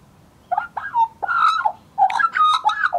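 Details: Scruffy juvenile Australian magpie, a wild bird recorded in 2014, warbling: rich fluting and gurgling notes around middle pitch, in two loud bursts of several slurred, bending phrases separated by short pauses.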